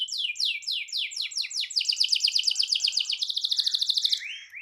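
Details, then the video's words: Canary rolling out a long song to set other canaries singing: repeated high swooping notes speed up into a very fast, even trill, closing on a short rising whistle. "Kicau Kenari Gacor Efektif PANCING EMOSI Kenari lain Cepat ikut gacor Ngerol panjang"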